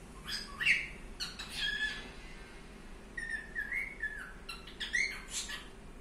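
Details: Pet cockatiel giving a series of short rising and falling whistles and bright chirps, loudest near the start, then a wavering whistled phrase and a final upward-sweeping note.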